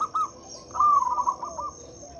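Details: Local zebra dove calling to draw out doves that will not sing; one short rolling coo phrase with a trailing falling note, over a thin continuous high insect hum.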